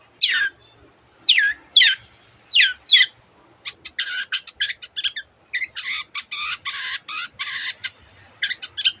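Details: Long-tailed shrike in varied song with copied sounds: several slurred down-sweeping whistles, then long bursts of dense, noisy chattering notes. Used as a training recording for quiet birds.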